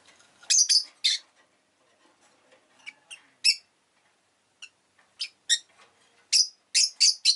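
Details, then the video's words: Rosy-faced lovebird chirping busily: rapid bursts of shrill, squeaky notes, a brief lull with scattered ticks, then a quickening run of loud piercing chirps. "Lovebird Chirping Sounds"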